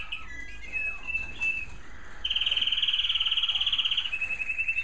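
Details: American Singer canary singing in a bird room in the evening as it grows darker: wavering whistled notes near the start, then a loud, fast, even trill from about two seconds that holds steady before dropping slightly in pitch and continuing to the end.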